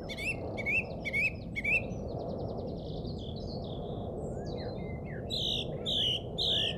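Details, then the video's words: Birds singing at a local golf course in England, Easter Saturday 2007: four evenly spaced rising whistled notes, a softer high jumble of twitters, then loud slurred chirps near the end, against a low steady rumble. "Bird Song From Jolly Old England"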